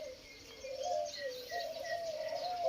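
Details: A large, long-bodied spotted dove with a very loud, medium-pitched voice, said to sound like its father, coos in low, hollow, drawn-out notes that swell and dip, with a thin high insect hiss behind.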